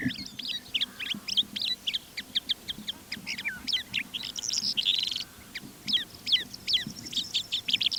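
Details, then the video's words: Flight song of a Calandra lark recorded over the Manych steppe in April: a rapid, unbroken jumble of sharp chirps, rolling trills and squeaky whistled notes, lively and varied throughout, with faint low rumble beneath. "Стал пытаться записывать голос Джурбая в полете. И вот что из этого вышло."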